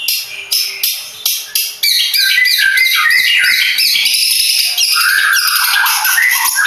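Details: Long-tailed shrike of the Madura type, a contest bird, opens with a run of short harsh buzzy notes repeated about every third of a second, then breaks into a loud, dense, continuous chattering song with high whistled slurs woven through.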